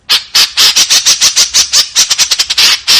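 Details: White-breasted woodswallow in a dense 'tembakan kasar' volley: loud, rasping notes packed closely together, speeding up briefly toward the end.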